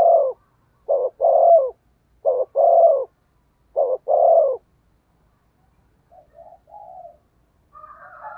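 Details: Spotted dove used as a lure, cooing hard: a run of phrases of a short note and a long hollow coo, repeated about every second, then fainter, broken coos from another dove at the end.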